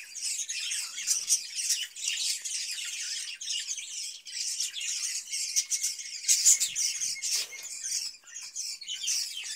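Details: Budgerigars kept in a cage in summer, given cucumber; busy high chatter mixed with harsh squawks and rasping notes, bursts rising and falling every second or so, one brighter squeak late on.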